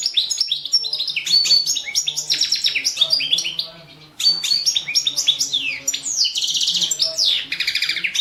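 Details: Competition song of a Balkan goldfinch, Carduelis carduelis balcanica, recorded for the 2017 World Championship in Goldfinch Song: long runs of fast, bright twittering and tinkling notes, briefly interrupted, then resuming with dense metallic buzzy trills.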